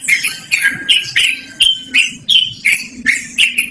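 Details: Yellow-vented bulbul (trucukan) singing clearly and loudly for use as a lure or training model; bright, slurred whistled notes delivered in a steady series of about eight over nearly four seconds.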